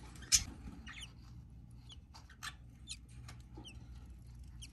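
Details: Newly hatching budgerigar chick: tiny, thin, falling squeaks, one louder sharp peep near the start, then scattered faint cheeps every half second or so over a quiet low hum.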